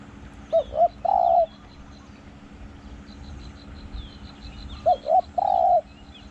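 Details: Spotted dove kept as a luring decoy, calling a ringing 'hong, ku-kong'. Two phrases about four seconds apart, each a pair of short hoots and one long mellow coo, over soft twittering of small birds.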